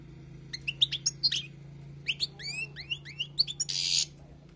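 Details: Wild European goldfinch singing for tutoring, softly: scattered sharp chips, then a run of rising slurred whistles and a short harsh buzzy burst near the end, over a faint low hum.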